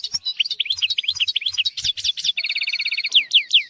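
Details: European goldfinch singing a tutor song for teaching young goldfinches and canaries: rapid twittering of high, sliding notes, then a fast, even trill around two seconds and more downslurred whistles, with faint low thumps beneath.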